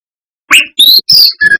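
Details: Brown-chested jungle flycatcher singing vigorously, a recording meant to provoke other flycatchers: four separate clear whistles, one rising, one long, one falling slightly, then a short double note, with brief gaps between them.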